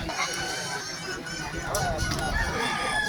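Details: Several Kukuak Balenggek chickens, West Sumatra's prized singing fowl, crow during a competition with cheering spectators; stacked wavering crow notes overlap throughout, with people talking and laughing in the background.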